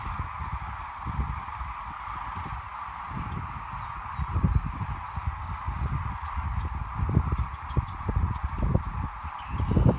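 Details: Sandhill cranes on migration along Nebraska's Platte River, March 2017, a massed flock giving an unbroken mid-pitched chorus of overlapping calls, with strong low-frequency wind buffeting and thuds throughout.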